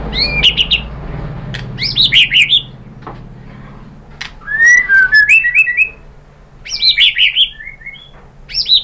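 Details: White-rumped shama song used to stimulate other birds to sing: rich bursts of rapid whistles, trills and sharp clicks in three loud phrases with quiet gaps between them.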